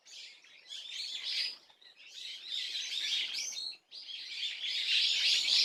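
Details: Swallow chatter recorded on Tuesday, 30 April 2024: three clear bursts of quick, high chirping twitters, the last one loudest and fullest, with a brief silent gap before it.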